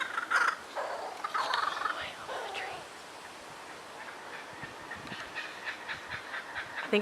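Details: A kookaburra in a tree in a local Australian park gives a loud, rough cackling laugh that rises and tumbles in bursts for about three seconds, then fainter chuckling notes follow as a person talks.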